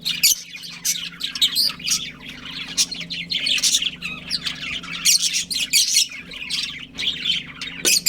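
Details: Budgerigar breeding pair chirping: a dense, continuous stream of bright, scratchy high chirps and warbles overlapping throughout, with a steady low hum beneath.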